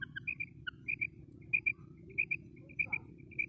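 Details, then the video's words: Female common quail giving quick doubled high notes, repeated in a loose rhythm roughly every half second, with a few lower scattered chirps and a faint constant low rumble beneath. "Female Quail sound // batair madi ki awaz // female batair awaz // mada batair awaz"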